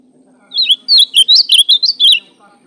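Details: Ultramarine grosbeak, a fibre-type azulão, singing a short warbled phrase of rising and falling whistled notes in quick succession, loud and clear, with a faint low hum behind.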